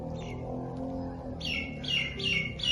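A rose-ringed parakeet gives harsh, shrill chirps in quick succession over a low background hum.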